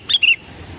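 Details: Sooty-headed bulbul sound used as a lure to draw other birds into singing; two short bright whistled notes, the first high and brief, the second slightly lower, longer and slurring downward, then quiet.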